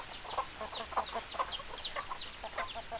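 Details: Chickens clucking in a flock, short mid-pitched clucks repeated irregularly about twice a second, with thin high descending peeps scattered throughout over a quiet background.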